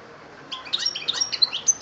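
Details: European goldfinch recorded in Algeria in 2013, singing a brief burst of rapid, high, liquid twittering notes with sharp metallic pings, starting half a second in over a quiet background.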